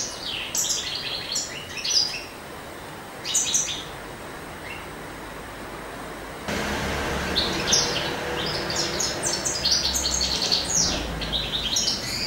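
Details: European goldfinch male singing in springtime courtship: two early bursts of quick high twittering, a quieter gap, then a denser run of liquid chirps and buzzy trills over louder low rumbling noise.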